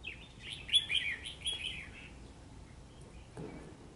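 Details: Red-whiskered bulbul calling while fighting a trap decoy bird on a cold, rainy day; a clear run of bright, warbled chirping notes for about two seconds, then quieter background hiss.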